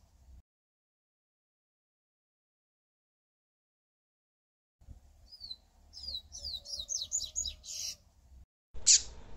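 A Double-collared Seedeater sings about two seconds of quick, high, slurred notes in a rapid run, ending in a sharp high burst, over a low rumble.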